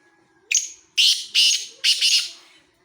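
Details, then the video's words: A Black francolin's grating call phrase: a short opening note followed by three rough, loud bursts, the final one doubled, heard against near silence. "kala teeter ki awaz"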